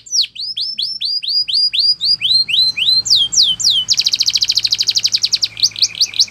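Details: Belgian canary singing a training song: series of rapid upward-sweeping whistled notes repeated several per second, shifting to a fast buzzy trill of dense high notes, then more sweeping syllables, with a faint low hum beneath.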